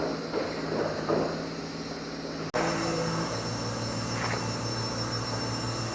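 Steady mechanical rumble with high squealing tones like train wheels, broken by a sharp cut partway through, then a louder continuous drone; no animal calls.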